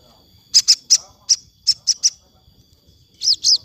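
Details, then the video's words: Sogon singing in the afternoon, used to train captive birds: a series of short high chirps at uneven intervals, ending with two arched whistled notes, over faint low background rumble. "suara sogon syahdu sore hari"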